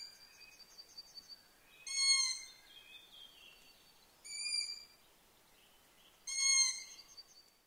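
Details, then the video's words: Young long-eared owls of a brood give three strident, screechy squeals at roughly two-second intervals. Softer high whistled notes fill the gaps in an otherwise quiet night setting. "Tuossa selän takana kuusikossa ääntelee sarvipöllöpoikue."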